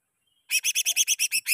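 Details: Greater green leafbird, its song used as a lure to train caged birds, gives nine evenly spaced, harsh, ringing notes in a rapid series lasting about a second.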